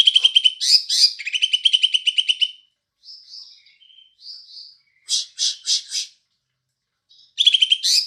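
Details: Green leafbird with a house sparrow fill-in: bouts of rapid, harsh chirping alternate with soft thin whistles, a group of loud rasping bursts, a brief silence, and a final quick chatter.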